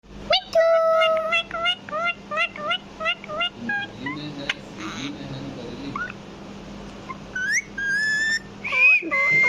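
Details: Pet parrot kept at home, mimicking and talking: a quick run of short whistled harmonic notes, about three a second, then a pause and a few rising, swooping whistles, over a steady low electrical hum.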